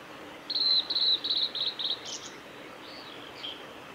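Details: Male blue-and-white flycatcher singing at the Kanazawa forest road by Lake Miyagase on 17 May 2020: a run of clear, high whistled notes in quick succession, then a brief sharper flourish, and softer notes trailing off.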